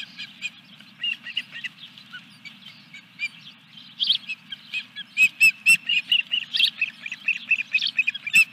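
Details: Osprey at its nest during a fish delivery, Dunrovin Ranch, 14 July 2021: a series of short, sharp, high chirps, sparse at first, then louder and quicker toward the end, over a steady low hum.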